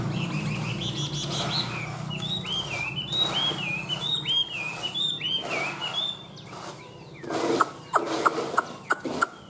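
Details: Caged Chinese hwamei (họa mi) delivering a run of clear, looping whistled notes, each rising then dipping, repeated about twice a second for several seconds, then giving way to sharp clicks and knocks over low background rumble.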